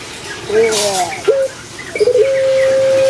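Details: Captive puter pelung Barbary dove kept in Indonesia, singing its full big-voiced song: a stuttering burst of short notes, then a steady, sustained coo held at one pitch.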